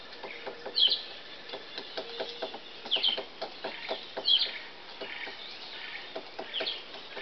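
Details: A woodpecker in the trees of a garden gives short, sharp, high calls roughly every one to one and a half seconds, over softer chirps from other birds and scattered clicking sounds.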